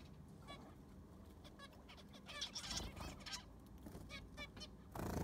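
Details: Several zebra finches kept in an aviary being cleaned with new sand: scattered nasal, honking beeps with harmonic bands, ending in a broad burst of handling noise.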